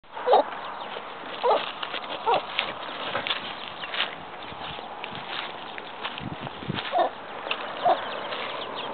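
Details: A mother hen with seven chicks in a yard: short low clucks spaced a second or more apart, clustered near the start and end, over soft rustling and footstep-like scuffs.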